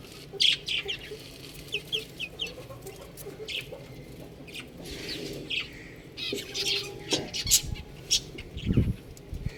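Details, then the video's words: Baby chickens peeping in bursts, repeated short high chirps with quieter stretches, plus low thuds and a brief deeper sound near the end. "Adorable Chicks Sound | Beautiful Chicks Chirping Sound"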